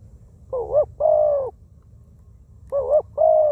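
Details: Small-voiced wild spotted dove kept as a ground decoy, cooing twice: each phrase a short wavering note leading into a long, level, soft coo, separated by a pause.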